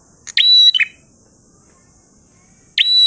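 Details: Prinia giving one full 'ngalun' phrase, a harsh burst into a held high whistle and a lower rasp. A long pause follows before the next phrase begins.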